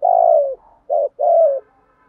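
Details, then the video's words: Spotted dove calling and challenging to fight: three mellow, low cooing notes in a row, long, short, then long again, each slightly falling at the end, clean and close with no other sounds. "cu gáy kích bổi nhanh nổi gù, tiếng gáy gọi và thúc đấu"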